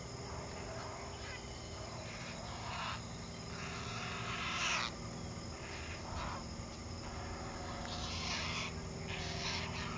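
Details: An only Great Blue Heron chick on the nest, flapping and grabbing a fish its parent regurgitated, gives harsh raspy chattering bursts every second or two over a low hum and faint buzzing; Great Blue Heron.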